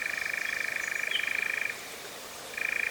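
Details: First European Nightjar of 2026 at Cefn Ddu forestry, North Wales, UK, in a drop-rig recording: a pulsing churr that breaks off after under two seconds, a short pause, then the rattling trill restarts.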